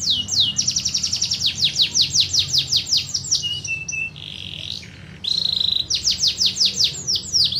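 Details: Lively canary song of quick, repeated downward sweeps, interrupted by level whistled tones and a harsher buzzy passage, then resuming rapid falling notes. A low hum sits underneath.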